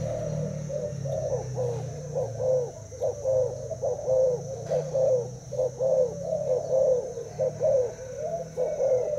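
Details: Spotted dove from Thailand, kept in a cage for two days, duelling a decoy with a long run of soft, rolling coos at a steady pace, with a low hum behind.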